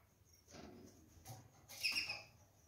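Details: A caged pair of Gouldian finches pecking at jute placed in their nest; one short, bright, harmonic call stands out near the end, among soft rustling, pecking and tapping sounds.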